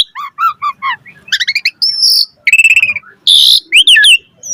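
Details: Gacor mompa chatter of an Asian pied starling: a run of stacked nasal notes, a quick stuttering series, a steady whistle, a harsh raspy burst and twisting squeaks.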